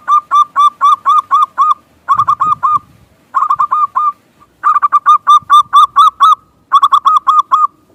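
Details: Local zebra dove singing as a lure to make other doves coo: dense, almost continuous phrases of rapid, bubbling, down-curving coos, some overlapping, with only brief pauses between them.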